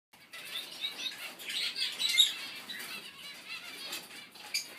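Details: A zebra finch chick gives rapid, high, scratchy chirps amid soft wing flutters.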